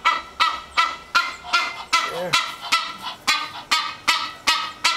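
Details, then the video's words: Female Egyptian goose at a house's back door first thing in the morning, announcing she is there and hungry: loud, harsh honks repeated steadily about three times a second. "One waits patiently but the other lets us know that she is there and HUNGRY."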